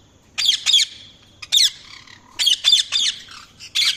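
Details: Parrot making sharp, shrill squawks in quick pairs and bursts, some with a brief whistled tail, about ten notes over four seconds in a quiet setting.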